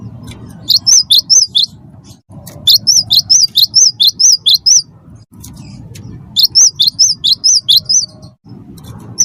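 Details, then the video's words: Chatty cinereous tit singing to provoke other birds into song: three runs of quick, high, chevron-shaped whistled notes, each run of about five to eight notes, over a low steady rumble. "gelatik batu wingko gacor pancing bunyi suara cerewet"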